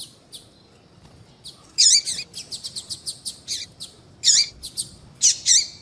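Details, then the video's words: High, buzzy chirps from a female double-collared seedeater, a call that stimulates males to sing. The chirps are mixed with quick runs of thin ticking notes and come in irregular clusters. "Piado de fêmea de papa capim vai deixar seu papa capim cantando Muito RÁPIDO !"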